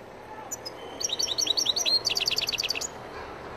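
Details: Algerian goldfinch, called مقنين تيواواطي, sings a quick high twittering phrase of short tinkling notes, accelerating into a rapid repeated chatter before stopping.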